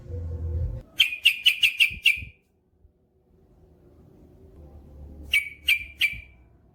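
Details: Trucukan (yellow-vented bulbul) singing gacor with long ropel, used as masteran for caged birds: a quick burst of six bright, sharp chirps, then a quiet pause, then three more chirps over low rumbling background.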